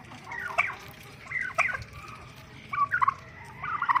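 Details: Angry turkey tom: fainter, blurred gobbling bursts, four rattling phrases spread over four seconds against a murky, noisy background.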